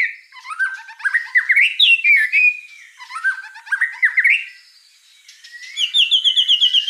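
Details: Song of a white-rumped shama, played to young spotted birds to get them singing: twice-repeated busy phrases of quick chips rising to a sharp whistled peak, then a high rapid trill.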